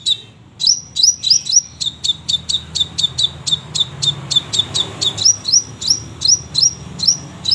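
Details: Crimson sunbird singing energetically: brisk high chips interleaved with thin rising whistled notes, repeated rhythmically about three to four times a second over faint background noise.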